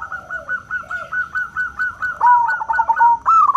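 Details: Local zebra dove, loud clear 'crystal' voice, used to lure other doves into calling: steady rapid staccato notes repeated about four per second, then a lower, smoother rolling coo and a final sharp burst.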